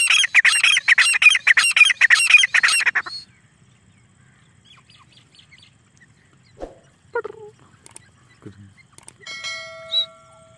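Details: Black francolin (desi teetar) calling: about three seconds of loud, harsh, grating notes packed in a rapid rhythmic series, then near silence with a few faint scattered chirps and clicks.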